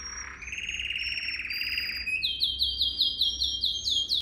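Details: Canary song meant to train young canaries: a buzzy sustained trill under a thin high whistle, then a quick run of repeated looping whistled notes, roughly eight in two seconds.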